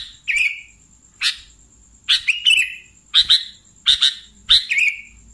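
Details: Lure call of a sooty-headed bulbul for catching bulbuls: sharp chirps in ones and pairs, several trailing into short warbles, repeated about every half second to second over a faint steady high hum.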